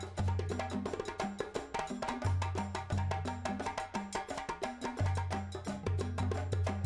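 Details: Upbeat percussive music with steady wood-block clicks, drum hits and a repeating deep bass line, and no animal voices.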